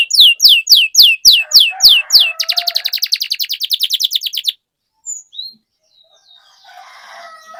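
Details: Gacor canary song aimed at prompting silent canaries: a row of loud, evenly spaced descending whistles, then a fast rattling trill, a pause, and faint twittering.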